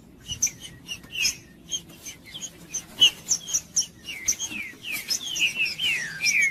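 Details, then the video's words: Caged green-winged saltator song meant to stimulate other birds: sparse sharp chirps at first, then a quickening sequence of loud downslurred whistles sliding from high to lower pitch, closely spaced near the end, faint steady hum beneath. "TRINCA FERRO CANTANDO O MELHOR VÍDEO PARA ESQUENTAR TRINCA FERRO"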